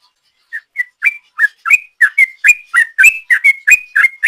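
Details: Ropel-style song of a sooty-headed bulbul used to lure birds: after half a second of silence, short whistled notes start slowly, then speed up into a rapid, steady chattering run.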